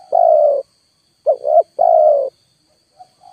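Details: Lure spotted dove cooing hard to draw a wild bird down, giving three low, full coos about half a second each, the middle one broken and rising, then faint soft notes.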